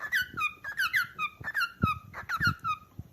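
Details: Rapid downward-sweeping chirps from a calling cockatiel, repeated irregularly a few times per second, with scattered thumps and taps underneath.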